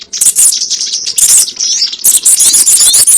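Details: Sogon bird call used as a lure for trapping: dense, very high twittering chirps with quick rising and falling notes in bursts, a short pause near the middle.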